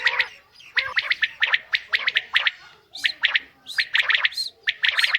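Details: Female common quail giving dense runs of rasping, squawky notes in quick clusters, nearly continuous with only short pauses and a faint background hiss.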